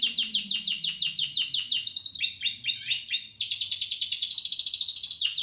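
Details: Spanish Timbrado canary, 2017 bird, singing a string of quick descending chirps repeated several times a second, then switching to higher rattling trills and rolling runs, all bright and piercing.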